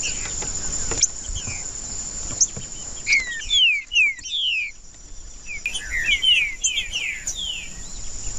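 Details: Green-winged saltator (trinca-ferro) singing, played to warm up a bird that is not singing: a short burst of clear slurred whistles, falling and rising, around mid-clip, then a second phrase, over a steady high electronic hiss.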